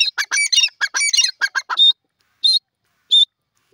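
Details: Grey francolin (safed teetar), Pakistan: a burst of harsh, rapid squawking notes for nearly two seconds, then silence broken by two separate thin, high, clear notes.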